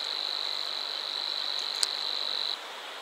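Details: Savi's warbler at Bolimów reservoir, Poland, reels a dry, fast, insect-like buzz on one high pitch, running steadily for over two seconds before stopping abruptly.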